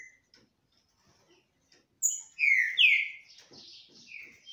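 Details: Green-winged saltators sing face to face without fighting: a short pause of faint ticks, then a bold phrase of rich whistled notes slurring downward, followed by softer trailing notes.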